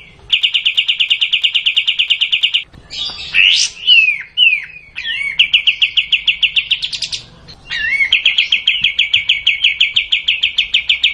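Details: Kapas tembak (sooty-headed bulbul) singing the long 'tembak' style. Rapid trains of sharp repeated notes fill long stretches, separated by a middle passage of varied swooping whistles and a quick rising flourish.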